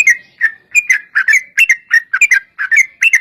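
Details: Yellow-vented bulbul in lively 'gacor' long 'ropel' fighting-style song, used to lure other bulbuls into answering: bubbly, liquid whistled notes in quick clusters of two or three, repeated steadily with short pauses, no other sounds.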